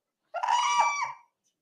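A whooping crane gives a single loud, brassy trumpeting alarm call lasting just under a second, with a rich ringing tone and nothing else heard.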